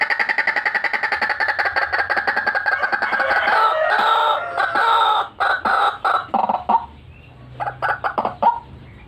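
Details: White-breasted waterhen lure recording: a fast, rattling series of hoarse notes runs into a loud, grating, continuous croaking chorus, then breaks into short harsh bursts with brief pauses.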